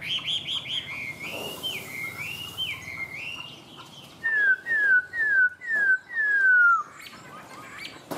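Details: Tame caged Chinese hwamei (họa mi) from Vietnam singing a run of loud whistled phrases, first wavering, then five clear downslurred whistles, each sweeping downward, with a low background hum.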